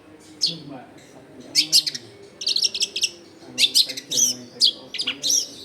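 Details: A long-tailed shrike sings briskly in a lure recording for catching wild shrikes, taken among packed houses: clusters of rapid, high, scratchy chirps in repeated bursts, separated by short pauses.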